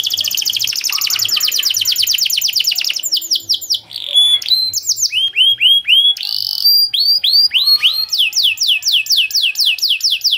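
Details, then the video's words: Singing domestic canary, long 'cuit cuit' style used to train young birds: a fast high trill opens, then varied whistled sweeps, clipped notes and repeated downslurred phrases at a lively pace. "Long Cuit Cuit Canary Masteran For Early Childhood Canary Baits to Sound Quickly || Voice of Canary"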